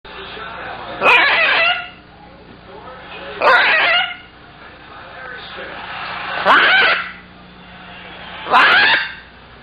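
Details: Pet scarlet macaw talking to its owner indoors: four loud, hoarse, voice-like outbursts spaced about two to three seconds apart, each raspy and broad, with quiet room noise between.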